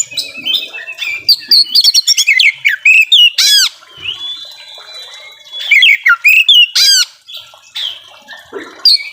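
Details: Oriental magpie-robin, a kept bird in full song with varied mimicry, used as a lure to get reluctant birds singing; loud, varied whistles, rising and falling slurs and rapid buzzy trills in dense bursts with short pauses.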